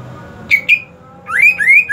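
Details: Greater green leafbird during the hot season: two short squawky notes, a pause, then two long rising slurred whistles, harsh and harmonic-rich, over a faint hum.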